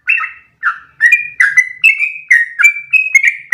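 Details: Trucukan, or yellow-vented bulbul, singing a long unbroken ropel in one breath as tutor material for other birds; chattering, liquid whistles rising and falling in rapid sequence after a brief opening gap.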